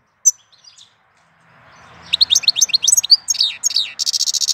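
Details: Goldfinch song recorded in April: a single high note, a pause, then a fast run of liquid twittering notes, about four per second, ending in a dense buzzy rattle.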